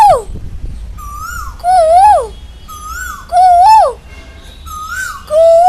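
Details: Asian koel giving loud, clear whistled calls that rise and then fall, roughly every one and a half seconds, alternating with fainter flat whistled notes; quiet background.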